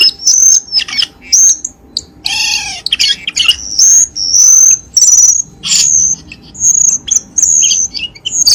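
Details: Cucak keling lure recording, played to caged birds to get silent ones singing again: high, sharp whistled notes in short bursts about every half second, with one lower, drawn-out harsh note near the middle.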